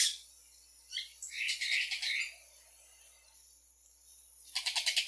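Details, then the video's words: Yellow-rumped cacique song: a buzzy burst opening, then a chattering run of squeaky high notes, a pause, and a quick rattle of about six sharp notes at the end. "Canto de xexéu"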